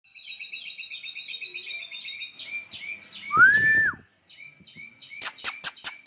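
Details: White-rumped shama song filled with lovebird and sparrow imitations: fast trilled chip series, then a loud rising-and-falling whistle with a low rumble beneath, a brief pause, and a run of sharp, harsh, repeated chips.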